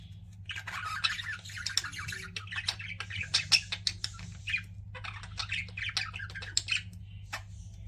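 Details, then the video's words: Pet budgies in continuous busy chatter, scratchy warbles mixed with sharp clicks and ticks, pausing briefly midway, over a low steady hum. "CUTE PET BUDGIES CHIRPING"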